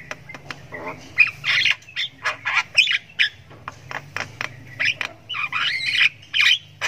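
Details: Javan myna chick in long ngriwik chirping, the calling of a young bird learning to sound: irregular harsh squawks, buzzy chirps and sharp clicks in quick succession.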